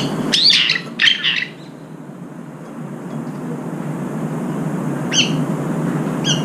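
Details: Brown-eared bulbuls squabbling over food at a feeder: two loud, harsh, rising squeals close together, then quieter short calls later against a steady low background hum.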